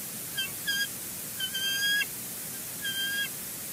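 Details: Eaglet of a bald eagle pair at Two Harbors, 11 April 2020, calling while its mother feeds it a mystery meal: a few clipped high notes, then drawn-out, slightly wavering whistled calls of about half a second, over constant hiss.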